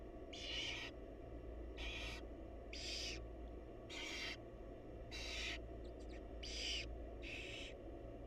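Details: A barn owl mother and her babies produce a rapid series of raspy, noisy hisses, seven bursts in about eight seconds, over steady low mechanical hum.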